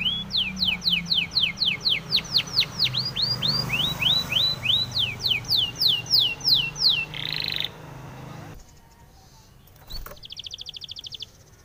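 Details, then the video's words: Spanish timbrado canary singing a training song for canaries: a long run of downward-slurred whistled notes, about four per second, then a brief buzzy burst. After a short pause a fast metallic rattle starts. "SPANISH TIMBRADO SONG FOR TRAINING - canary training song"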